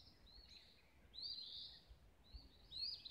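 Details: Birds at sunrise in Olivehill, Tennessee, giving high, sweeping chirped phrases, three separate bursts with quiet gaps, against steady low environmental noise.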